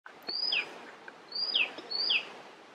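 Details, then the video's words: Icterine warbler singing in Västerbotten on 27 June 2021: three clear, high whistled phrases, each a drawn-out note followed by a quick descending slur, repeated about every 0.8 seconds over faint background hiss. "Härmsångare - icterine warbler - Hippolais icterina song"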